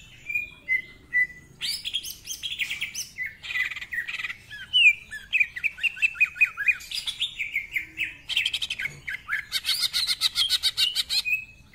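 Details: Greater green leafbird singing energetically with a rich repertoire of mimicked phrases, as a tutor bird: scratchy harsh bursts, sweeping whistles and fast repeated chips, mixing rough and clear high notes without pause.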